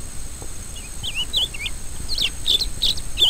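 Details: Rusty-collared seedeater song of spaced, warbling whistled notes that start softly and grow louder and quicker toward the end, over a low steady hiss.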